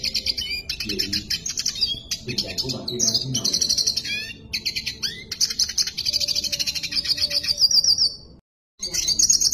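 A red siskin sings a fast, high, nearly unbroken twitter of chattered notes and buzzy trills, with a brief cut near the end and faint low voices early on.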